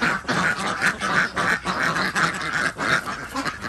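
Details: Desi ducks at a village farm in Andhra Pradesh, India, calling during morning egg collection; loud, raspy quacks in short bursts separated by brief gaps, several ducks answering each other.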